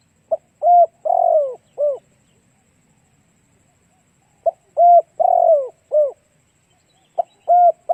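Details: Lure song of a spotted dove for drawing in other doves: repeated four-note cooing phrases, a short pip then three mellow coos with the third falling, given about every four seconds in near silence.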